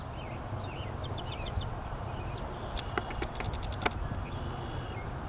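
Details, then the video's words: Sedge Wren singing in a grassland restoration area on a former landfill, St. Joseph County, Indiana, 9 June 2018: high, dry chips, then a quick staccato chatter of rattling notes, over a low steady background rumble. "Sedge Wren singing"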